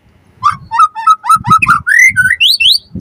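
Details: White-rumped shama song for prompting other birds to answer: a chain of clear whistled notes stepping higher and higher, each short and slurred upward, over intermittent low knocking sounds.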